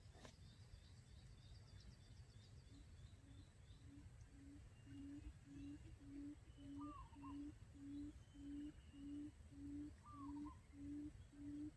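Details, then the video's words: Lure call of a quail, used to trap quail: after a quiet start, deep hooting notes begin and repeat evenly, roughly five every three seconds, with brief higher bird whistles and faint chirps behind. "Tiếng chim cút mồi"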